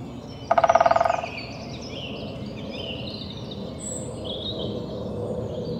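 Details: Pileated woodpecker drumming on a tree: a fast roll of resonant knocks near the start, gradually slowing over about three quarters of a second. Soft high chirps from other birds continue afterward against steady natural background noise.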